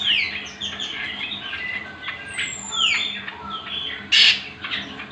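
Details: Cucak kombo, the greater green leafbird, singing for training other birds: sharp descending whistles and squawky chattering notes tumble quickly, with one long high slur and a loud harsh burst near four seconds.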